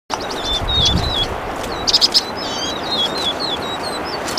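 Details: Vinous-throated parrotbill, subspecies bulomachus, singing: many thin, high chirps and short slurred twitters overlap in a steady chatter, with a brief cluster of louder sharp notes near the middle over a soft background hiss.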